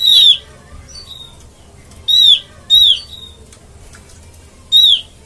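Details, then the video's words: Trapping lure of an Oriental white-eye: four loud, buzzy descending notes at uneven gaps, two of them close together. The background is quiet except for a faint hum. "suara pikat burung opior"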